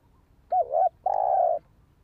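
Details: Spotted dove recording used for luring and training decoy birds: a short two-part wavering coo followed by a longer steady mid-pitched coo, clean and close, with little background.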